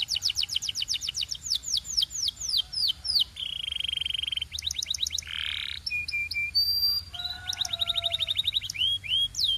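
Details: Canary song built from fast rolls of downslurred notes, then a buzzy block, short flat whistles and a piercing high note, ending in quick repeated notes and falling slurs.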